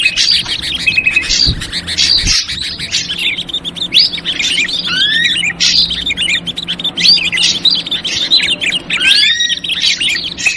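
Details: Lure sound for ashy drongo, 'trucukan ribut' version: rapid stream of clipped chirps and harsh twitters, broken by curved whistled slurs around four seconds and near the end, over a faint steady hum.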